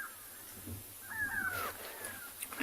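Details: A Grey Go-away-bird alarm-calling at sunset on 31 July 2020 at Tswalu Kalahari Reserve, South Africa, as an animal near a carcass moves off, gives a single drawn-out, nasal, falling cry over a faint hiss.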